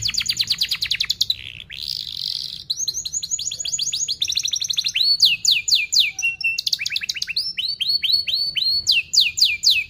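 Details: Canary song used as a lure for training young canaries, a fast dense style: rapid trilled tours of downward-sweeping notes, high buzzy rolls, then crisp upslurred chirps repeated about four per second.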